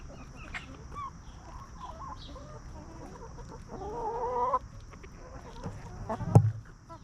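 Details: Free-range hens roaming and feeding calmly in a farmyard; a few short clucks then a drawn-out wavering cackle midway, followed by a loud knock or thump near the end, over low rumble and high hiss.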